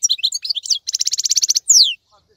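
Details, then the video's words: Short goldfinch phrase: a few quick chirps, then an even buzzy trill of about a dozen pulses, ending with a sharp downward-sweeping whistle; the singer is described as still active and bright while other birds molt. "تغريد افضل من كل تغاريد طائر الحسون الخلوي"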